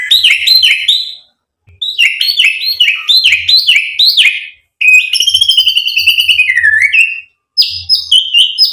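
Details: White-rumped shama singing to provoke rival birds: series of bright, repeated whistled phrases with sharp upward slurs, a fast rattling trill sliding lower, and short ringing notes after brief pauses.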